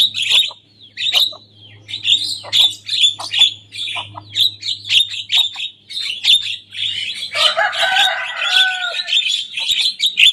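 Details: Young Javan myna singing hard and imitating rival songs: a long run of rapid scratchy chattering notes, then a rich tangle of descending whistles and harsh warbles before chatter returns.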